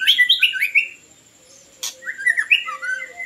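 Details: A white-rumped shama, Copsychus malabaricus, sings to lure birds. A quick series of downslurred whistles is followed by a pause and a click, then a second warbling run of rising and falling notes.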